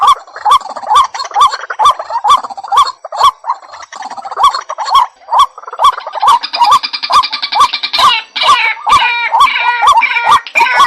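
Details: Lure call of a white-breasted waterhen: harsh repeated notes at roughly two per second, slightly uneven, overlapped from midway by busy chattering and higher calls in the background.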